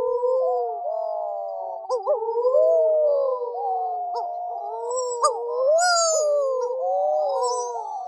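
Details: Wedge-tailed Shearwaters arriving at dusk at their colony on the east side of Lord Howe Island after long migrations: several overlapping, wavering moans sliding slowly up and down like eerie wailing, with a few brief higher squeaks.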